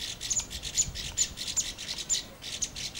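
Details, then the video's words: Red-flanked Bluetail (Orange-flanked Bush-robin), a winter visitor to the lower hills, giving short, high, thin call notes about every half second against a steady hiss of background noise. "Orange-flanked Bush-robin or The Red-flanked Bluetail"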